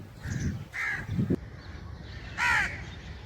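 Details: Crow calling with two hoarse, drawn-out caws separated by a pause, plus a few low thumping or rustling noises in between.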